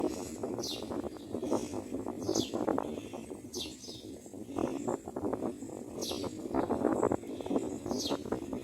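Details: A mother myna feeding newborn chicks at the nest gives sharp, high, downslurred chirps repeated irregularly about once a second, over constant close rustling and clattering.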